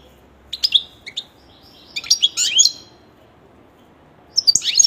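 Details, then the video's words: A kept European goldfinch gives short bursts of high, bright twittering notes, three separate clusters of thin chirps and trills with quiet pauses between them. "il canto del mio cardellino"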